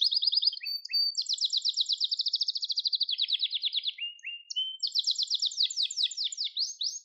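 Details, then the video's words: Gloster canary song meant to stimulate and train canaries: pulsed trills, a short lower whistle, then a long, dense rolling trill that gradually slides lower before finishing in brighter, quickly repeated notes. "Gloster Kanarya Sesi Ve Ötüşü"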